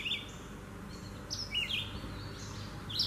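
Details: A Red-eyed Vireo singing in the trees gives short, slurred whistled phrases, each rising or falling, separated by brief pauses, over a steady low rumble of background noise.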